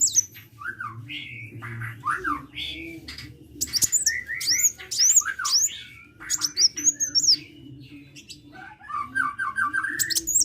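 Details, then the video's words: Kolibri sunbird in active song with varied slurred whistles at middle pitch, rapid high zigzag chirps in bursts, and a quick descending run of notes near the end, all over a low hum. "KICAU BURUNG KOLIBRI GACOR"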